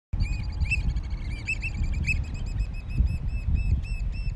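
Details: Oystercatchers at Stratford Point Sanctuary on May 4, 2021, during their courtship dance: a rapid, steady run of shrill, ringing piping notes, several each second, over a heavy rumble of wind.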